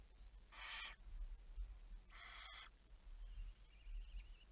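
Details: Barn owl at night, 11 May 2019, 23:34: two rasping, breathy screeches about half a second each, a second and a half apart, followed by a faint wavering high trill over steady low hum.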